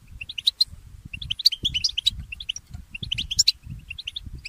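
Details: Mule goldfinch, a goldfinch hybrid, in morning song: rows of evenly spaced high chirps broken by louder, sharper notes, with faint low thumps beneath.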